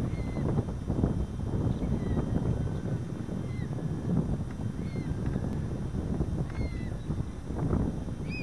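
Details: American oystercatchers, part of a flock of five passing a kayaker on the Nonesuch river at Pine Point and foraging on mudflats: clipped, downslurred whistled notes every second or two, over heavy low wind and paddling noise.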